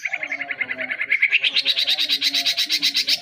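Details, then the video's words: Young white-rumped shama, a caged songbird, producing a steady rapid chatter of repeated notes, about three per second, that climbs higher and becomes louder and buzzier midway. "murai batu masih anakan udah bisa jadi master"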